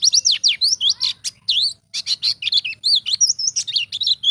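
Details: High, sweet twittering of a wild white-eye in the 'ngalas' style, used to tutor young birds: fast, varied, continuous run of rising and falling chirps and slurred whistles, barely pausing.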